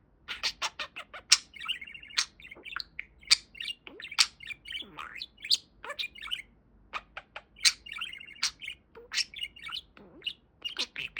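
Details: Talking pet budgie warbling: a dense run of clicks, scratchy squeaks and nasal buzzy phrases, loud sharp ticks scattered throughout, a quiet gap near the seventh second, otherwise continuous chatter.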